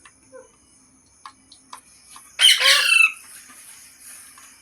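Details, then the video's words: Green parrot gives one loud, harsh squawk lasting about half a second after faint soft clicks and ticks. "Green Parrot Talking Natural Sounds | Tote Ki Awaaz | Mitthu Ki Awaaz"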